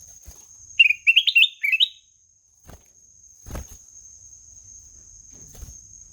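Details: Short burst of black-naped oriole song: about seven rapid, rising whistled notes in one phrase, followed by silence and scattered low knocks.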